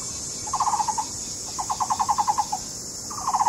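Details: Taiwan barbets in a courtship duet near their newly dug nest cavity, Taishan, Taipei County; three clear bursts of rapid, resonant wooden-sounding knocks, the middle run longest at about a dozen notes, with faint insect background.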